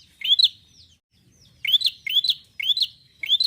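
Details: Steady, energetic singing from a Bar-winged prinia: bright rising chirps repeated about every third of a second after a brief pause, each with a dry clicking edge.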